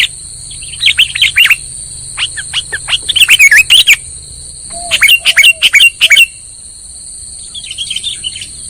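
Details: Sooty-headed bulbul lure call for trapping: scattered chirps building into two rapid bursts of twisting notes, then fading to soft distant chirps, over a continuous high thin whine.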